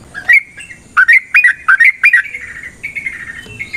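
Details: Energetic yellow-vented bulbul song played as a provoking fight lure: several quick liquid, slurred phrases clustered together, then a trailing level whistled tone fading away.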